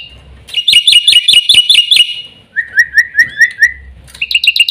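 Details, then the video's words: Black-winged myna singing in three bursts of quick, rhythmic chirps. Each burst repeats one bright, slurred note about eight times, shifting to a lower pitch and then back higher, with faint low rumble underneath. "burung jalak putih"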